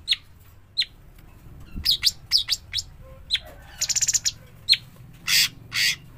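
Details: Fledgling cucak cungkok, the sooty-headed bulbul, uttering crisp high chirps, then a fast stuttering rattle of about eight pulses. Two longer hissing, scratchy notes close the sequence.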